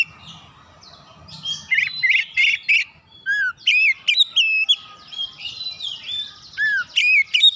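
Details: An oriental magpie-robin sings to stir other magpie-robins: a busy stream of loud chattering phrases, high chips and clear whistled slurs, a few bursts each second, over a quiet low rumble.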